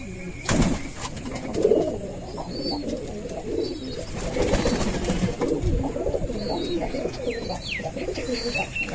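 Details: Several male Rajshahi Giribaz pigeons, including Uganda and Dhakaiya males, calling constantly and squabbling at morning feeding, coo in low, throaty, rolling phrases, with a man talking over them.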